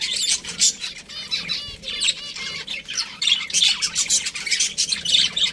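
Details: Budgies giving busy, overlapping chirps and rapid warbling chatter, with quick rising and falling twitters and brief pauses between bursts of song.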